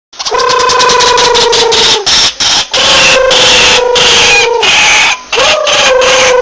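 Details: White-breasted waterhen call played as a bird-catching lure: rapid, harsh, evenly pulsed clicking runs throughout, with long steady nasal tones that sag slightly in pitch, each lasting about two seconds and coming back three times.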